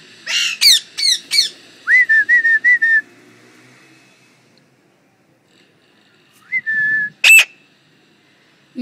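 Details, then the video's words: Talking parrots at home give three harsh squawks, then a run of five quick whistled notes; after silence, a single rising whistle followed by another sharp squawk. "Talking parrots"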